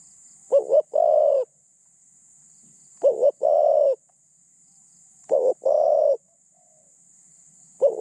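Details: Spotted dove serving as a decoy to catch wild doves, with a medium-pitched, lightly phrased voice: three phrases about every two and a half seconds, each a wavering double note and a long level coo, plus the onset of a fourth.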